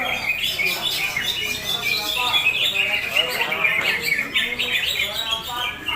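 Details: A Sumatran leafbird, described as a champion, pours out quick jumbled twitters and brief slurred whistles in a continuous high chatter, some notes dipping lower, against steady background noise.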